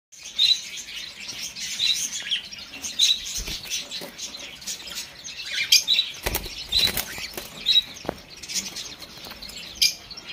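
Cockatiels give brief high chirps every second or so amid fluttering wings and clicking.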